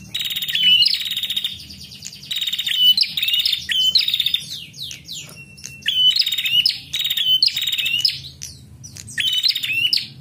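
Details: A female prinia gives high, dry, ticking chatters in bursts of about a second, repeated every one to two seconds, over a faint low hum; used to provoke male prinias into calling.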